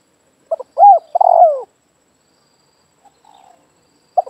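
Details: Spotted dove heard in a yard, its call used to lure doves. One phrase of two short notes, a looped coo and a drawn-out falling coo. A faint softer note follows, with silence around.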